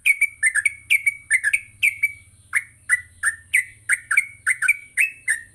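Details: Trucuk, the yellow-vented bulbul, giving a lively morning song for training caged birds; quick bursts of bubbling chirps in pairs and triplets, briefly pausing then resuming, over a faint low hum.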